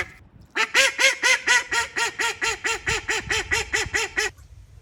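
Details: Female call duck kept as a school pet at a high school in Saitama, Japan, giving one loud run of about sixteen harsh, nasal quacks, evenly spaced at roughly four per second, then stopping abruptly.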